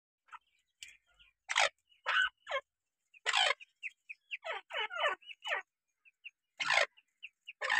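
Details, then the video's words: Grey francolin chicks with their mother: thin, high peeping notes scattered throughout, interrupted by harsh, broadband rasping bursts at irregular intervals. "Teeter ke bache / teeter chiks / teeter sound"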